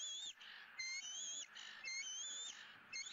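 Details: Young bald eagle at feeding time in a Southwest Florida nest, 20 April 2017, on the day's second fish. Three bright, piercing whistled squeals, each slightly rising, follow one another within three seconds.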